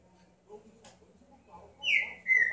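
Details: Green-winged saltator, quiet at first, ends with two loud whistled notes, the first rising then falling, the second a level clear whistle.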